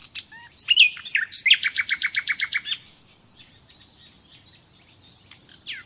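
A common nightingale sings a rich phrase of whistled notes, then a rapid run of about a dozen loud, even chooks before trailing off into quiet twitters.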